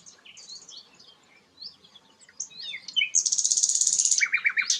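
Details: Song of the sikatan londo, a rare bird: quiet, thin, sliding whistles, then an intense high trill and a run of quick, evenly repeated lower chips.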